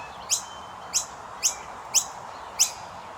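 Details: Common myna babies being fed give five sharp, high chirps, each a quick downward-sliding squeak, spaced roughly every half second against a quiet hiss.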